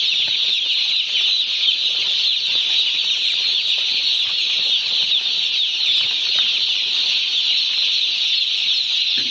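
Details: Crowd of day-old chickens at a poultry farm peeping continuously: countless high-pitched chirps overlap into a constant, even shrill chorus with no pauses.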